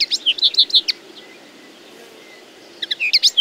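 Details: Common linnet song in two bursts: a quick run of chirps and twangy notes, about two seconds of quiet, then another rapid twitter.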